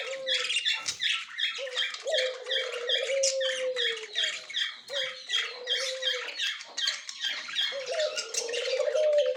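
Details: Budgerigar pair, white male with yellow-green female, October 30, 2024, giving a long run of busy chatter: clicks, squeaks and buzzy chirps repeated in fast bursts, with a sustained low wavering hum beneath.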